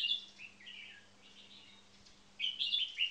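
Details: Caged red-whiskered bulbul song, one bird trained for marathon frequency singing: a quick bright opening note, quieter trailing warbles, then a loud burst of rapid chirpy whistles near the end, with a faint steady hum.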